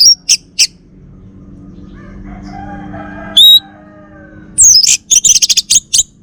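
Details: From Singaraja, North Bali, a kept male orange-headed thrush of the Bali form delivers scattered high chirps, one sharp slurred whistle mid-way, then a rapid string of loud buzzy, chirping notes.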